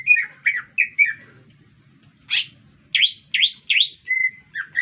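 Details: Green leafbird in a city area giving spaced slurred chirps, a single broad harsh burst, then several down-swept whistles and a sustained level note; low hum behind.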